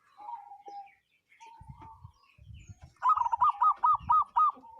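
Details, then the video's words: Wild local zebra dove giving a strange call: soft drawn-out cooing, then a loud run of six or seven quick, bouncing rolled coos in a steady beat, with faint low rumbling. "Perkutut lokal suara aneh"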